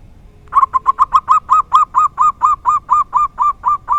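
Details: Local Indonesian zebra dove (perkutut lokal) giving the rare "dor tak kowor kowor" song style: a run of about seventeen mellow, rounded cooing notes, steady in pitch, first quick then slightly slower, against a quiet background.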